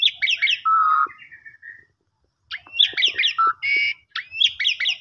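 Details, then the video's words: Asian pied starling lure song meant to rouse sulking or stressed starlings: two busy bursts of chattering, squeaky notes mixed with a clear level whistle and harsh squawks, separated by a brief pause. "Jalak Suren Pundung Langsung Nyaut Gacor"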